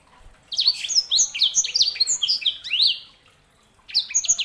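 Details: Sanger, a canary hybrid, in a sustained phrase of fast, sweeping high whistles and chirps lasting over two seconds, then a short pause before the song resumes.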